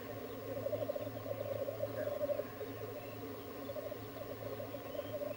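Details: Black grouse at a lek, a continuous low bubbling, cooing chorus of many overlapping rolling phrases pulsing steadily throughout, with a faint steady low hum underneath.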